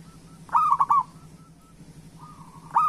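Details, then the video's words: Local zebra dove song used to prompt reluctant doves to sing; one loud stuttering coo of three quick notes, then a soft drawn-out coo from a second dove and the start of another loud phrase. "Perkutut Lokal Gacor Suara Pancingan Burung Perkutut Paling Cepat Bunyi"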